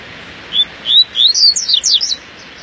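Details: Morning outing of a singing double-collared seedeater: spaced clear whistles accelerate into a run of loud, high, steeply slurred notes, some swooping down, ending in a brief flourish over constant low hiss.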